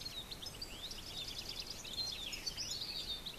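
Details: A blue rock thrush in breeding condition ('ceba') gives a steady run of high, thin chirps and twittering notes, with a soft outdoor hiss underneath.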